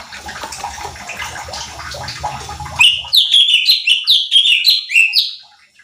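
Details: Cucak cungkok bulbul in a training recording used to provoke other birds. Muffled, noisy mixed sounds at first, then loud, clear, rapidly repeated whistled notes that each drop sharply in pitch, in a fast rolling series.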